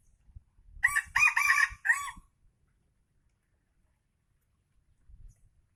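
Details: Aceh red junglefowl, an F1 bird, gives one loud crow of four quick harsh syllables lasting about a second and a half, followed by near silence with faint low thumps.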